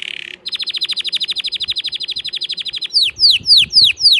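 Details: Loud canary song: a brief buzz, a long, fast run of clipped descending chips, then slower, sweeping downslurred whistles repeated about twice a second.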